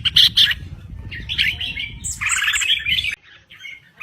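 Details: Thailand crested bulbul in full song: two sharp opening notes, then bubbly warbled phrases rising and falling, over a steady low rumble that drops away near the end.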